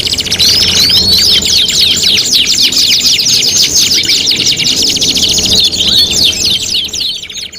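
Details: Competition-tutoring canary song in a five-in-one mix: a continuous, rapid buzzy trill of fast repeated high notes, opening with a few sweeping whistles and fading abruptly near the end.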